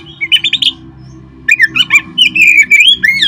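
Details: Oriental magpie-robin song for stimulating caged birds: short rapid chirps, a brief lull, then loud whistled and warbling phrases sliding up and down.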